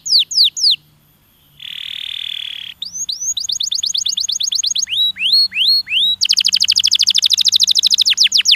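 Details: Canary stimulating song: loud varied phrases of sweeping down-slurred whistles, a short buzzy note, then rapid repeated chips building into a fast trill, with a faint low hum beneath.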